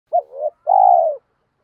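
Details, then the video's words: Spotted dove coo, from a recording of male and female birds used to excite newly caught doves in training: a short hooked low note, a brief gap, then one long, steady, hollow coo that fades slightly at the end. "tiếng chim cu gáy kích bổi"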